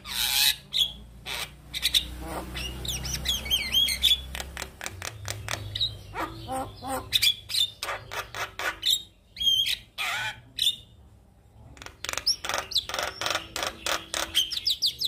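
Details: Male Javan myna singing as a master song for other mynas to copy: harsh broadband squawks, rattling bursts and sharp whistled notes mixed with chatter, delivered in fast irregular phrases with brief pauses, plus a low hum underneath.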